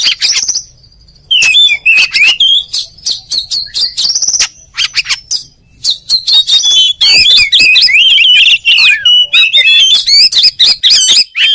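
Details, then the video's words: Oriental magpie-robin delivering sharp, quickly repeated whistled notes, about four per second, mixing bright high chirps with warbled slurs and brief silent breaks. "THE KACER BIRD IMMEDIATELY WORKS AFTER HEARING THIS VOICE"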